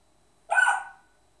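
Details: Pet African grey parrot copying a person's hiccup: one sharp, hoarse hiccup sound with a short tonal tail, surrounded by silence.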